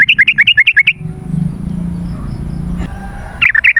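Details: Yellow-vented bulbul song used as a lure to call wild birds: a quick bubbly run of about a dozen short warbled notes alternating between higher and lower pitch, then a pause with low background rumble before the notes resume.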